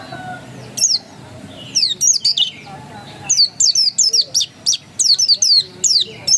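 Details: Pleci dakun white-eye singing ngotot style, an insistent stream of high, thin down-slurred chirps delivered in tight clusters, growing denser and faster toward the end, with a quiet low hum underneath.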